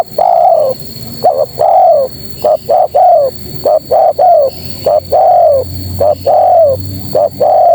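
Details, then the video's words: Female spotted dove calling males with rapid, overlapping coo phrases. Paired short notes lead into drawn-out, gently descending coos, packed closely over several seconds, over a constant thin background tone. "Suara Terkukur Betina Memanggil Jantan"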